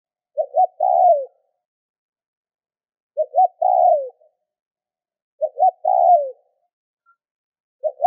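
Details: Cooing of a spotted dove meant to prompt other doves to call, three full phrases a few seconds apart plus the start of a fourth; soft paired short coos lead into a sustained falling coo, in silence.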